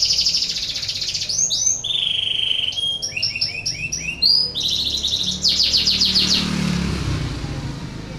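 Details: Canary in breeding condition, its song used to stimulate other canaries to sing: a long, varied sequence of high trills, sustained whistles and clipped repeated notes, with a faint low murmur in the background midway.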